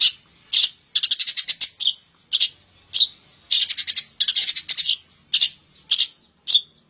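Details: Long-tailed shrike song with mimicked phrases: harsh, buzzy, noisy bursts repeated roughly twice a second, some in rapid stuttering runs, set against near silence.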